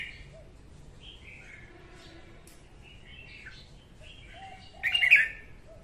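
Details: Soft scattered whistled notes from a female red-whiskered bulbul singing in the morning, used to train birds and lure them to traps, ending in one loud burst of rich warbling.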